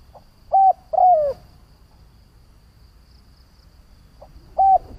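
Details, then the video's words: Decoy spotted dove calling to lure rival doves: one full phrase of a faint pickup, a short coo and a long falling coo, then after a gap the start of the next phrase. "Tiếng Chim cu Mồi gáy gọi - Chim cu gáy kích bổi nhanh nổi hiệu quả"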